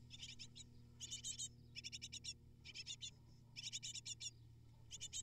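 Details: Begging from eight great tit nestlings during feeding visits by the parents; clustered, rapid, high-pitched chirps in regular bursts roughly every second, over a faint constant hum.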